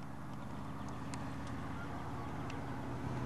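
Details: Steady low traffic rumble from passing vehicles, with a few faint clicks and no clear animal calls.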